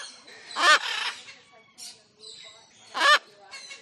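A cockatoo gives two loud, harsh screeches about two and a half seconds apart, with softer raspy notes in between.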